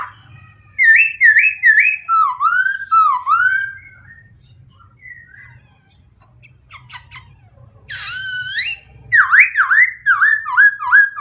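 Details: White-crested laughingthrush in lively song: bursts of looping, warbling whistled phrases, a quieter pause with scattered clicks, then a loud rising call and more rapid swooping whistles.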